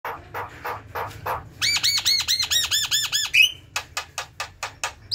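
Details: A Javan myna (Acridotheres javanicus), a bird in full song, gives harsh, varied chatter: rough squawks, then a fast run of about a dozen ringing arched notes, then dry clicking calls.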